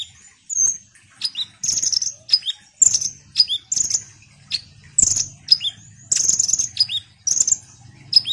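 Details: Ruby-cheeked sunbird chattering almost continuously with shrill high chips, thin falling whistles and brief trills, over a soft low hum.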